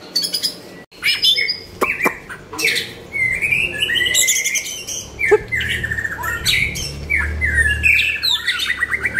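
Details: Song of a white-rumped shama from Nakhon Pathom, Thailand: dense, scratchy, fast-changing whistles and harsh squawky notes, with brief sharp clicks and a low hum behind.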